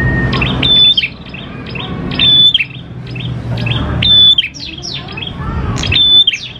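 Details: Lure song of a lively, persistent prinia. Phrases repeat roughly every 1.7 seconds, each a pure high whistle tumbling into sharp falling chirps, over a low background rumble.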